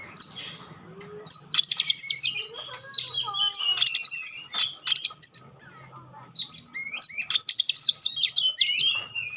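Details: Oriental magpie-robin singing sharp 'tembakan' bursts and clear notes that make other magpie-robins respond and get fired up: rapid high chattering phrases mixed with slurred whistles, pausing between bursts, over a low steady hum.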